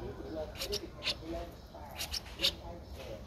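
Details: A 12-day-old Streak-eared Bulbul nestling in Ubon Ratchathani, Thailand, 14 April 2023, gives thin, high, squeaky chirps in irregular pairs and singles, over soft low murmuring that may be a voice.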